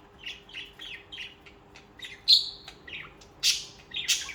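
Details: Budgerigars, social pet birds, chirping: a series of short buzzy warbled notes, then several louder sharp squeaky chirps toward the end.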